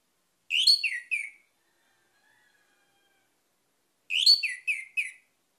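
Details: Orange-headed thrush song as a lure for other singing birds: two matching bursts of three to four loud, slurred whistles, separated by nearly three seconds of near silence.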